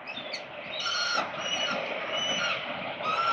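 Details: At the 367 Collins nest in Melbourne, Australia, 13 November 2022, a peregrine falcon gives a drawn-out, wavering wail that runs almost without a break, over a steady traffic background.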